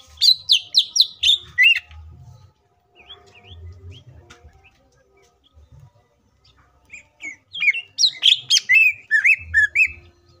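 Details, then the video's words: Green leafbird singing as a lure to provoke other leafbirds into song, with dense bursts of varied chirps and whistles at the start and again near the end, separated by a quieter stretch of soft notes and low rumbling. "CUCAK IJO FULL ISIAN PALING MEWAHH❗AMPUH BUAT PANCINGAN IJO AGAR CEPAT BUNYI DAN EMOSI!"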